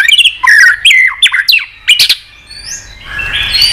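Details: White-rumped shama song with many voices, used for rousing shamas to sing and flick tails: quick down-slurred whistles and sharp notes, then a softer trailing warble fading toward the end.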